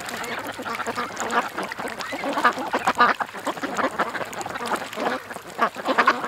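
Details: Ducks gathered at a creek, quacking steadily in overlapping bursts; a few louder harsh calls stand out over continuous lower chatter.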